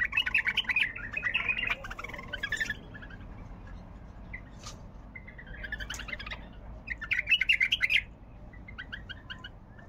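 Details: Bulbul with a varied song, delivering quick chattering, warbled phrases with sharp clicks between them, loud bursts at the start and near the end and softer notes in the middle.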